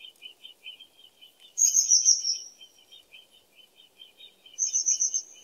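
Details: Common kingfisher's shrill, high whistles, one long sliding note then a trilled burst, over a steady background of rapid, repeated soft chirps from another small caller.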